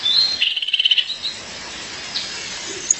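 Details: Female violaceous euphonia calling for her partner: a brief high, rapid rattled trill lasting under a second, then quiet background hiss with a faint chirp.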